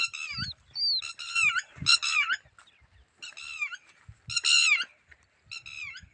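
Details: Red-wattled lapwing, shown with its eggs, calling in repeated loud, strident bursts of several harsh notes, about four series spaced by short pauses, with low bumping noises in the background.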